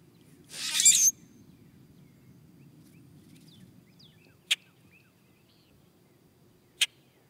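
Common Grackle giving one harsh, rasping, creaky burst that ends in a thin squeak, followed by two sharp, dry chack notes a couple of seconds apart.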